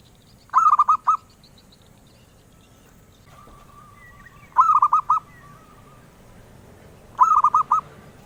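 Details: Zebra dove, a bird collectors pursue, repeating its melodious song: three bursts of four or five quick, rolling coos, spaced about three to four seconds apart, with a faint drawn-out tone between them.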